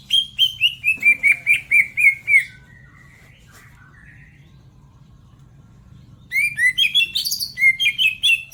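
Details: Song of a greater green leafbird from Majalengka, West Java: a chain of clear whistled notes that slides gradually downward over about two and a half seconds, then a few seconds of quiet, then a fresh burst of varied chirping notes.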